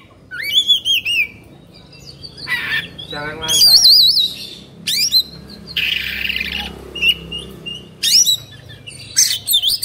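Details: Agitated Oriental magpie-robin kept as a hobby bird in Indonesia, fluffing and spreading its tail while singing: varied loud whistled phrases, wavering trills and harsh buzzy bursts, with short gaps between strophes.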